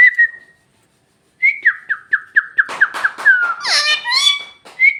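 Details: Parrot imitating Bhojpuri words: a short whistle and a pause, then a rapid string of clipped whistled notes that run into rough, voice-like syllables with a rising whistle at the end.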